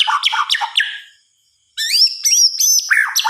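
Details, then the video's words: Nighttime white-rumped shama song: a quick run of descending rattling notes, a short silence, then high clear whistles and sharp chirps. "Suara Kicauan "MURAI BATU" di Malam Hari"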